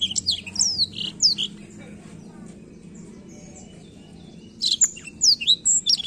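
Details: Black-throated canary singing to stir young birds into song: a burst of quick high slurred whistles, a quiet gap of over two seconds, then another lively run of sharp chirps and trills.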